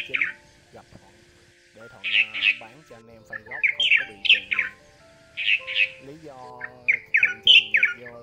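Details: Red-whiskered bulbul call used for trapping, meant to call in males and females: bright, bubbly whistled phrases, each a quick chortling burst of a few rising and falling notes, in two similar runs over low humming tones.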